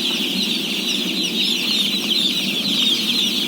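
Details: Shrill, trembling peeps from a crowd of day-old chicks, around 17,000 at feeding, merge into a continuous high chorus over a faint low hum.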